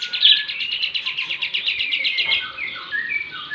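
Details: Lovebird in full ngekek-style chatter, a mastered bird from Bandung with kapas tembak and jenggot fills: a long, fast, steady run of high buzzy notes, then short whistled phrases.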